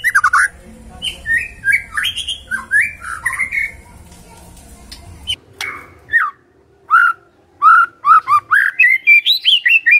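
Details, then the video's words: Magpie-robin singing a long, varied song: a string of rich warbled whistles, a short quiet gap, then a fast series of sweet notes that climbs steadily higher toward the end. "Murai Nyaut Gacor"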